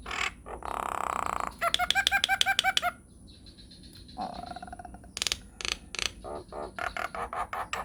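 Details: Nias hill myna, a lively bird in a lure/training recording with long rolling song: loud, varied run of harsh buzzy notes, rapid rattling bursts and clear whistles, changing pattern every second or so.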